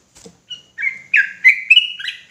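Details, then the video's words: Sooty-headed bulbul singing agitatedly: after a few soft notes, a rising sequence of fluty, slurred whistles builds quickly into a continuous, rich warble. "Trucukan gacor ROPELAN NGOTOT EMOSI !!!"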